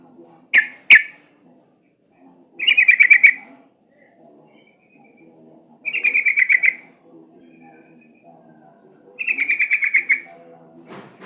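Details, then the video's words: Sooty-headed bulbul recording used to coax the bird into song: two sharp single notes open, followed by three evenly spaced bursts of fast bright chattering, separated by pauses of about two seconds. "Suara pancingan trucukan agar bunyi jadikan burung trucukan gacor seketika"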